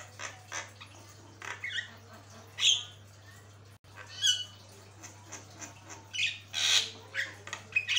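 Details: Jalak kebo in full song: mixed harsh squawks, rasping chatter and piercing whistled notes, varied and irregular, over a steady low electrical hum.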